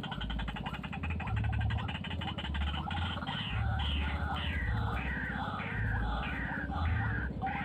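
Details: Wild white-breasted waterhen, described as very fierce, giving loud, harsh overlapping calls that build into a rhythmic, rising-and-falling series repeated under a second apart, over a steady deep droning hum.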